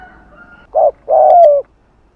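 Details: A single spotted dove phrase in Hạp bổi style, cooing in the afternoon to attract doves: one short hollow note, a brief pause, then a longer coo sliding downward, with a faint steady tone just before.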